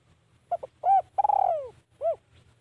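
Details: One clear phrase by a spotted dove kept as a decoy to draw wild birds: short paired notes, a round coo, a long gliding descending coo, and a last brief coo.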